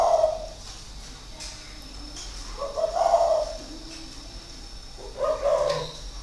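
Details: Low, soft cooing from a caged spotted dove used as a decoy and kept six years, Ba Vi, Hanoi, Vietnam, 2019: three hollow phrases at the start, middle and end, with quieter murmurs between.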